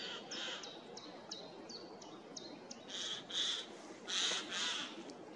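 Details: Eurasian jay calling loudly in a forest on 15 April 2024: two harsh, rasping screeches near the end, after a series of thin, high, falling chirps from a smaller bird.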